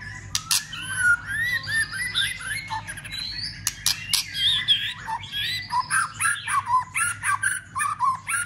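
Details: White-rumped shama giving a stimulating fighting song with constant clicking and tail-flicking to rouse other shamas: a rich, fast stream of varied whistles, warbles and slurred notes broken by sharp clicks, loud and nearly continuous.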